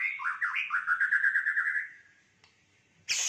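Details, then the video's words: White-rumped shama in fighter style with a rich fill of phrases: a rapid run of looping whistled notes sliding slightly upward, then a pause and a sudden burst of broadband noise. "Murai batu Fighter isian Mewah"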